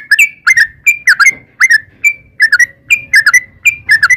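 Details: Yellow-vented bulbul in energetic song, used as a lure to make other birds sing: short bright whistled notes, often doubled or tripled with brief rising and falling slurs, repeated irregularly over a faint low rumble.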